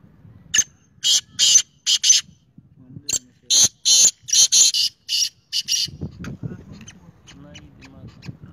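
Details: Black francolin (kala teetar) giving a loud, harsh, grating phrase of about ten rasping, buzzy bursts, some in quick pairs, over roughly five seconds, then quiet low rustling and murmuring in the background.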